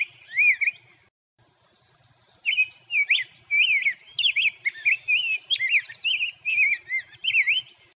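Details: Rose-breasted Grosbeak at Natural Tunnel State Park singing a rich, robin-like warble of sweet rising and falling whistled phrases. It is fluid and continuous, more melodic and slightly higher-pitched than a robin.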